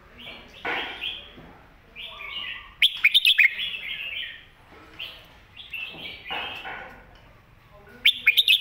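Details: Master song of a red-whiskered bulbul for teaching young birds, loud warbling phrases in repeated bursts, each ending with rapid sharp notes, about every two and a half seconds.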